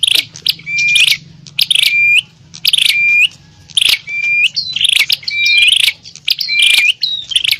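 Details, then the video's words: Harsh bar-winged prinia fighting chatter aimed at calling wild prinias: separated bursts of rasping notes each finished by a pure level whistle, with quieter gaps between and a faint low hum. "Suara burung prenjak pikat - prenjak tarung ribut ampuh memanggil prenjak liar"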